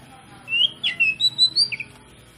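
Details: Oriental magpie-robin (kacer) lure song to stimulate other magpie-robins: a handful of separate pure whistled notes, one sliding down steeply, the rest short and level, against a quiet low hum.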